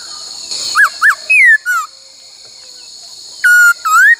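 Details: Laughingthrush training song in the "bắt cô trói cột" many-voice style: two quick arched whistles, a falling slur, a pause, then a flat whistle and a rising upslurred whistle, against constant high hiss.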